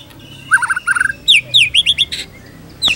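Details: White-rumped shama tutor song for training shamas: paired fluttering whistles, then a quick series of bright down-slurred notes and a short harsh burst, with a final high slur.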